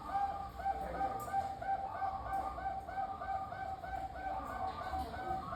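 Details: Local zebra dove, kept as a lure bird to prompt other zebra doves to answer, singing a steady run of short, rounded cooing notes about three per second in a soft bubbling pattern over a low background rumble.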